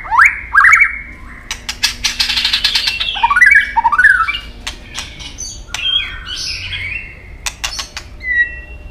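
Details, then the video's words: Competition singing by a white-rumped shama: rising whistled slurs open the passage, then buzzy bursts, sharp clicks and swooping notes, ending with a short high whistle. "chòe lửa đập đuôi nhấp cầu hót đấu giọng rừng dài"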